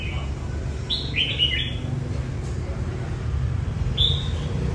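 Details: Red-whiskered bulbul singing as training for a singing competition: a few short, bright whistled phrases that slur downward, spaced by pauses, over a steady low rumble of background noise.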